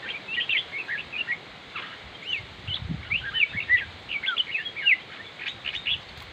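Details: Red-whiskered bulbul singing a lively stream of chirped, warbling notes in short bursts, fairly continuous throughout, with a faint low thump in the middle.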